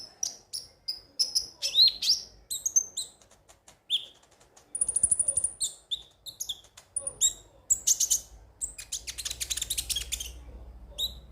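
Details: Ruby-cheeked sunbird song played as a lure to make birds sing every day: a rapid, jumbled run of very high, thin chirps and sharp ticks, brief squeaky whistles, and a dense buzzy chatter toward the end.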